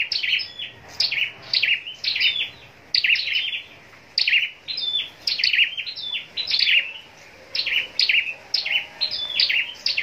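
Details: Scarlet-backed flowerpecker bred for singing contests, pouring out dense, shrill high-pitched twitters and chips in repeated bursts with brief pauses, against a quiet backdrop.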